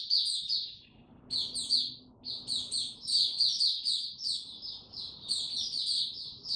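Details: White-eye song in warm, very humid weather, 26 March 2022: fast, high, sweet chirping phrases broken by short pauses, with steady low background noise beneath.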